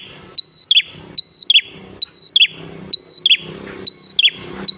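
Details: Prinia singing vigorously, used as a lure to get other prinias to sing: a high steady whistle followed by a sharp falling flick, repeated about every 0.8 seconds over faint low background hum.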